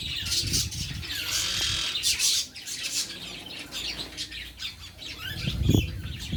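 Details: Birds twittering while being fed, high chirps and squawks in bursts mixed with low thumping, rustling and a brief knock near the end.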